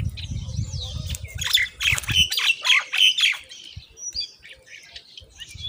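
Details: Common myna chicks being fed moringa by their mother, begging with loud, rapid, harsh squawks repeated about three times a second for two seconds, then quieter chirps; low rustling and thumping noises underneath.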